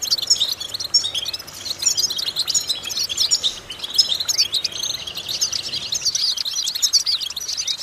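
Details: Goldfinch song used for vocal training to stimulate goldfinches: a long, lively run of high tinkling twitters, buzzy trills and bright whistles with hardly any pause.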